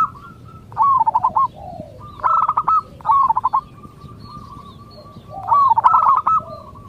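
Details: Song of a local zebra dove, played to make other doves call back. Bubbling, stuttered coo phrases alternate with a long even whistle-like coo and a few softer notes.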